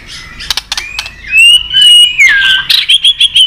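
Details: White-rumped shama fighting song: a few clicks, then a long pure whistled note sliding upward, a falling slur, and a series of five short bright chirps.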